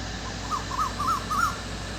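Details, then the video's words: A cuckoo calling in the dark in the evening gives four clear, whistled notes, each rising then falling, spaced about a third of a second apart, over a low steady hum. "The cuckoo is making a sound in the dark in the evening"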